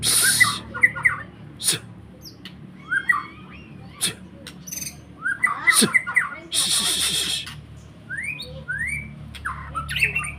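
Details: White-rumped shama singing short, clear whistled phrases with rising and slurred notes, delivered in bursts with pauses between them. Loud, broad clattering noises break in between several of the phrases.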